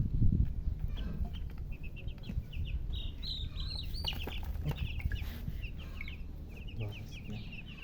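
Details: Thirsty colour chicks wanting drinking water give many short high peeps, rising then falling, in quick irregular runs, with a steady low hum and some knocks beneath.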